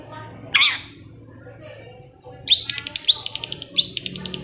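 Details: Long-tailed shrike singing, used to coax quiet shrikes into song: one rising harsh note, then a quick stuttering series of sharp high ticks and short whistles.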